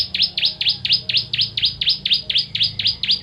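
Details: Ciblek, the bar-winged prinia, training song for contest birds: an even, rapid series of about twelve sharp, high downslurred notes, roughly four per second.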